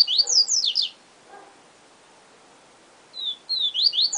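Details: Song of a yellow-bellied seedeater, the 'siu siu professor' style, with rapid sliding whistles at the start, a quiet gap with a faint low chirp, then a new phrase of whistles.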